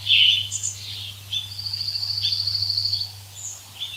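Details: Birds singing in woodland: several high chirps and whistles, then a long thin trill, over a low steady hum.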